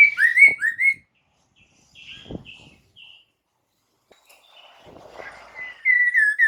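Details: White-crested laughingthrush song used to make captive birds sing in reply: loud whistled rising and falling notes at start and end, with a quiet middle holding faint higher notes and a soft thud.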